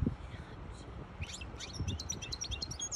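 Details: Hybrid goldfinch song, used to tutor chicks and stimulate a female goldfinch to mate, comes in as a rapid string of high chirps and whistled notes after a second of low background noise.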